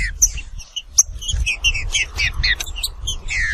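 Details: Green-winged saltator (Saltator similis) song: a rapid, dense run of short whistled and slurred notes, some clearer high peeps, ending in a longer descending slurred phrase, over a low rumbling background.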